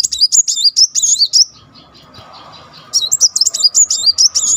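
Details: A muncang, tail wagging, gives two fast, tightly rolled bursts of high, sweet twittering notes separated by a brief pause, used to prompt other muncangs to sing. A faint steady hum sits underneath.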